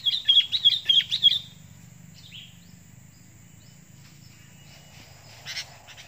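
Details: Sooty-headed bulbul, a decoy bird reacting while fighting a wild bulbul, gives a quick run of five sharp, chirpy notes in just over a second, then a faint note and a brief scratchy burst over a low hum.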